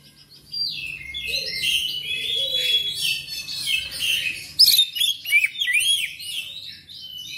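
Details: Black magpie-robin song played to stir caged birds into singing; a rich run of sweet whistles and buzzy trills, then sharp upswept notes repeated quickly, with a soft low hum beneath.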